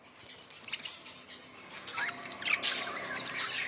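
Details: Budgerigars starting softly, then breaking into louder, sharp chirps and squawks in the second half, high-pitched and irregular.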